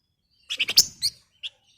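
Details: Female flamboyan calling a male: a short cluster of quick sharp chirps, then one more isolated chirp after a brief pause.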